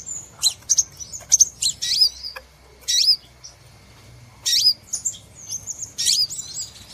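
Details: Crimson sunbird lure call used to attract birds for trapping: sharp, very high, thin chirps and short slurred notes delivered in quick clusters with brief pauses, over a faint low background hum.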